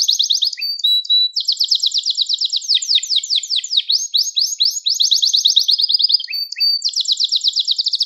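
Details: Gloster canary in continuous song, used to excite other canaries and train young ones: dense rolling trills of rapid repeated notes, a brief pure whistle, and changing buzzy phrases throughout.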